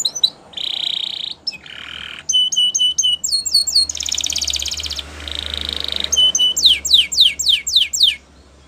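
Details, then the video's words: Canary training song: buzzy trills, short clipped high notes in sets, then a series of steep downward sweeps, with a steady low hum behind. "Make Your Canary Singing Again !! Listening"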